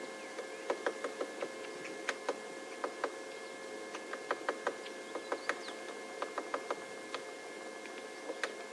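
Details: A woodpecker on an African safari morning drive taps at bark in sharp, dry, irregular knocks, about two or three a second with brief pauses, over a steady mechanical hum, trying to open the bark to extract wood-borer grubs or beetle larvae for breakfast.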